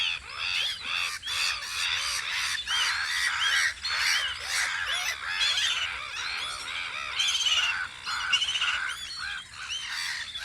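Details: Spring gathering of gulls guarding their post on Audru polder: dense, clamorous squawks pulse in bursts of several per second over about ten seconds of nonstop calling.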